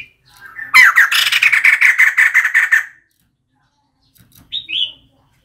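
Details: Female White-crested laughingthrush calling, used as a decoy call: a two-second burst of rapid, harsh, raspy notes repeated about five times a second, followed after a pause by a short, clear, high whistled note.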